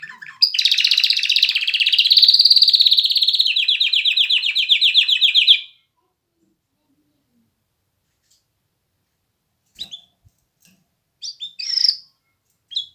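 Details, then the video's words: Canary song in 'mast' style: a single long, dense, fast buzzy trill lasting about five seconds, followed by silence and a few brief chirps. "کنری مست/خواندن کناری مست/قناری با صدای عالی/KANARYA sesi"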